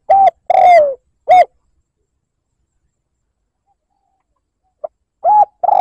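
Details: Spotted dove cooing as a liêu lỡ lure to provoke rivals: a short coo, a long descending coo and another short coo, then a long silence before a faint pip and two more coos begin.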